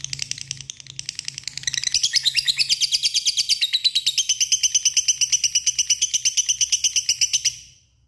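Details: Lovebird calling a rival with its long ngekek trill: softer, mixed notes at first, then a loud, fast, even chatter of high pulses lasting about five seconds before stopping abruptly.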